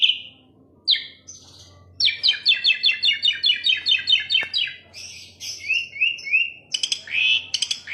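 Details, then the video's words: Asian pied starling singing a varied song: a long run of rapid repeated chattering notes, mixed with whistled slurs, rising and falling whistles and harsh buzzy bursts, with a faint low hum underneath. "KICAU JALAK SUREN MANTUL"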